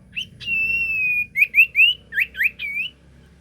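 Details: Sirtu song used as a lure to make other sirtu answer: a long steady whistled tone, then a run of short rising slurred whistles, over a faint low hum.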